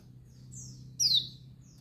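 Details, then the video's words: Female white-eye of the Dakun Bali kind calling to excite males: a soft high whistle, then one strong, sharp chirp falling in pitch, against a quiet low hum. "Suara Panggilan pleci Betina Dakbal Bikin Pleci Jantan Ngamuk"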